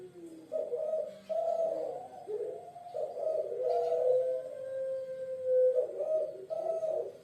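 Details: A Puter Pelung dove, a typical Indonesian bird from Java, gives low, soft, hollow coos in repeated phrases about a second apart, one drawn out and gently wavering, against a quiet indoor background.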